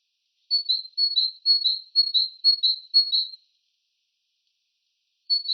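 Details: Great tit, a regular visitor to feeders, sings in an open hornbeam forest along a woodland path during the morning chorus: a bright two-note 'tea-cher' phrase, high then lower, repeated six times in about three seconds, then resumed after a pause.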